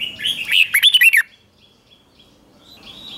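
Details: Red-whiskered bulbul singing in a morning training session for competition: a single bright, rolling phrase of rapid whistled notes lasting about a second, then quiet with a faint thin whistle.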